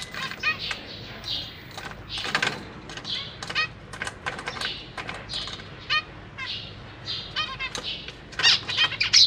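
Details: Caged zebra finch family, parents feeding three juveniles and three new babies, recorded 6 May 2023: a dense run of short harmonic chirps, some stuttered in fast trills, over repeated sharp clicks and rustling from the birds moving about.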